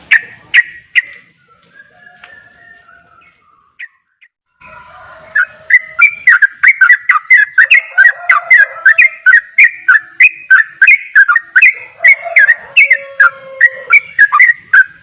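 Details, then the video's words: Sooty-headed bulbul in rapid song said to make other bulbuls agitated: after a quiet start with a few scattered notes, a fast run of bright whistled notes rising and falling, about three per second, with sharp clicks on each note. "Trucukan ropel, trucukan lain akan emosi dengar suara trucukan ini"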